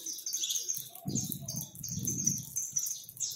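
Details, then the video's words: Over a hundred free Saffron finches gathered to feed in a backyard, singing together: a dense, busy chorus of high chirps and twitters with a few deeper thumps and rustles through the middle. "Canário da Terra livre em meu quintal e cantando"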